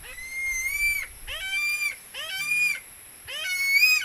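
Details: Philippine eagle, noted as hunting a barred rail (tikling), gives a series of four shrill, reedy whistled screams, each beginning with a rising slur and held level, spaced about a second apart with a brief low rustle between.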